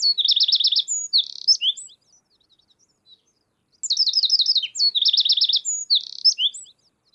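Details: Eurasian wren (Troglodytes troglodytes) singing at Baie d'Audierne, Brittany, France, late April–early May 2022: two loud, fast bursts of high trills and rattling notes, each about two seconds, separated by a short pause.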